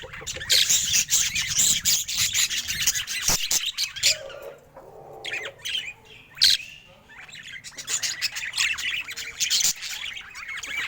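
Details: Happy pet budgerigar keeps up a continuous bright chattering warble of squeaks, chirps and harsh notes, broken by a few clicks and a brief lower murmur midway.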